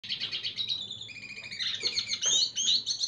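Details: Red siskin singing to attract a female: a fast, twittering song of high chirps, trills and buzzy notes, unbroken and busy throughout.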